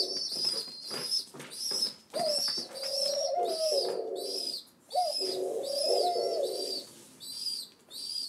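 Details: Indoor pigeon chicks, rescued seven days earlier, beg for breakfast with clusters of high whistly squeaks and longer lower wavering hums, pausing briefly between bouts.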